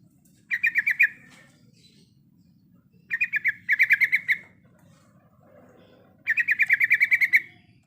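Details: Breeding female sooty-headed bulbul calling the male, giving three short bursts of fast, evenly repeated chirps separated by silences of a couple of seconds, with a low background hum throughout.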